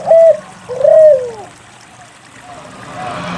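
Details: Spotted dove, a frequently singing bird used as a lure to prompt reluctant doves to sing, giving two low, mellow coos, the second longer with a falling, slurred ending, then quiet hiss.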